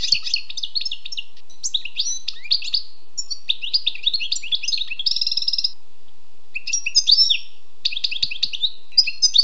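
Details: Wild European goldfinch singing a rapid, liquid twittering song of quick high chirps and trills, broken by short pauses and a brief buzzy run, with no other sounds.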